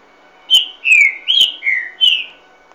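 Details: A green-winged saltator, called trinca-ferro garganta de ouro, gives a loud, clear phrase of five rich whistled notes, alternately slurring down and up, about two a second, with a faint steady hum behind.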